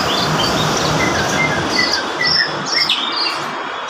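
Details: Varpa bush lark singing hard: short high whistled notes and chirps, some repeated at similar pitch, tumbling irregularly over a loud continuous rushing noise.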